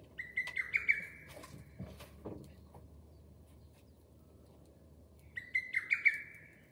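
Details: Two bursts of the lesser cuckoo's hurried, whistled five-note phrase, about four and a half seconds apart, with low thuds and knocking noises in the gap.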